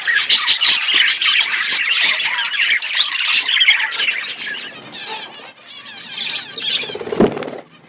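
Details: Budgerigars kept in an aviary set in a forest-like environment, many birds chirping at once: busy high chattering warbles and squawks, densest for the first four seconds then thinning, with a sharp knock near the end.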